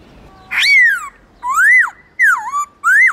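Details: Black-throated laughingthrush singing many varied phrases to rouse other caged birds: four loud whistled phrases, arched, rising and dipping, each about half a second long with short pauses between, in a quiet setting.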